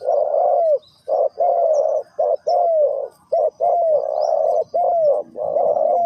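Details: Spotted dove cooing in the '3 kuk hoi' style: low, rounded coos in short-long pairs, each long note arching gently downward, repeated steadily about once a second with brief gaps between phrases.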